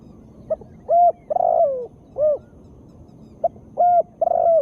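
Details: Female spotted dove cooing, offered to get lazy birds calling quickly. Nearly two phrases: short note, level coo, long falling coo, a rounded arched coo, then the sequence repeats with a stuttered drawn-out ending.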